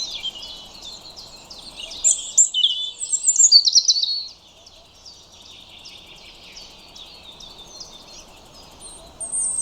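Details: European robin song, a burst of high thin warbled notes and trills around two to four seconds in, then a long quiet stretch with faint distant bird notes.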